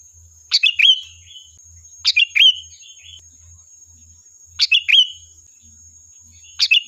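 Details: Sooty-headed bulbul phrases repeated as a lure to draw answering birds: four bursts of chirps with trailing whistled slurs, about two seconds apart, with a thin steady high tone behind.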